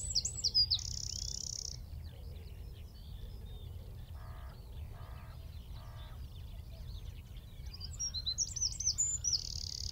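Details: Eurasian wren singing from a tree at Wicken Fen, 15 m off: a burst of high twitters and a sustained trill opens and closes the passage, with three softer buzzy bursts of another sound between; constant low background noise.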